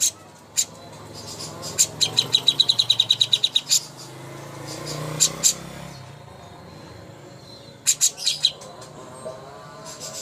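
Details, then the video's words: Cucak hijau (greater green leafbird) master song for training contest birds. Scattered sharp high chirps are followed by a fast run of about a dozen ringing notes, then pauses and more bursts of chips over a low background rumble. "masteran ampuh untuk burung cucak hijau Lomba"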